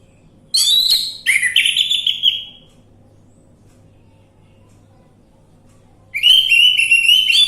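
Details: Orange-headed thrush lure song meant to prompt a bird to sing: bursts of rich whistled and chattering phrases with downward slurs, a pause of several seconds, then a rising whistled phrase returns.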